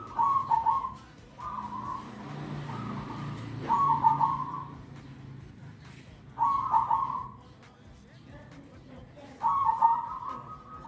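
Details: Zebra dove giving rolling, trilled coo phrases at a steady, even pitch, about five bursts in eleven seconds with gaps between, against constant background noise and low rumbling.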